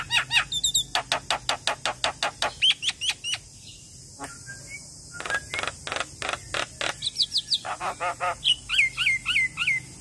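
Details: Talkative young Javan myna singing through the day: a long train of sharp, evenly spaced clicks, a short pause, then rasping bursts and a closing series of clear slurred whistles repeated several times.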